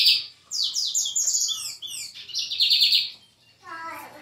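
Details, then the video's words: Brown-plumaged lined seedeater in full song, a fast run of bright whistled notes sweeping downward, grouped into rapid repeated phrases, with a brief pause before a lower falling series at the end. "BIGODINHO PARDO DE JOÃO ESSE TEM CANTO!"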